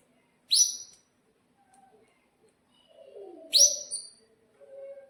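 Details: Canary in breeding condition, caged, kept as a singing tutor for young canaries; two loud upswept 'cuit' chirps about three seconds apart, the second followed by a brief trill, over quiet low warbling.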